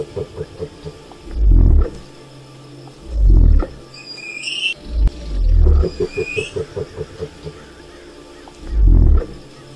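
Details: Deep rumbling booms from a wild cassowary, five heavy low pulses spread across the stretch, with rapid throbbing notes between them and thin high rising whistles from another bird.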